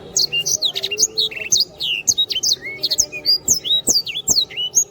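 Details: A canary in full, energetic song for bird-training use, pouring out a rapid, unbroken stream of sharp high chirps, trills and swooping whistles, with occasional faint taps.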